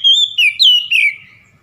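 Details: Oriental magpie-robin song used to provoke a rival: a fluid series of clear whistles that rise and fall, ending in a trailing downward slur, with no other sounds.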